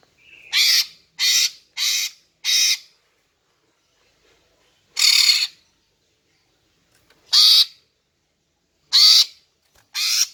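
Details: Greater green leafbird female calling to lure males: four harsh rasping notes in quick succession, then four more spaced roughly one and a half to two seconds apart, with little else heard.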